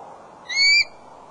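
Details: Adult male eagle sitting on the nest, 24 February at 4:34 pm, giving a plaintive cry: one clean, high whistled note lasting about a third of a second, slightly rising then held steady, against quiet low background noise.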